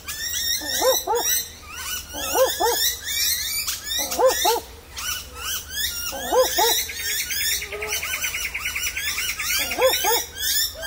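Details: Wild barking owl calling for a mate in the daytime, hidden high in dense foliage at Warriewood, Sydney, Australia: low double 'wook-wook' barks in repeated bursts, over busy bell miners' tinkling calls and other birds screeching.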